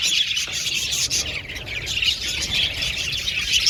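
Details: An aviary flock of budgerigars chatters steadily, a mass of high twittering and squeaky chirps layered together with no pauses.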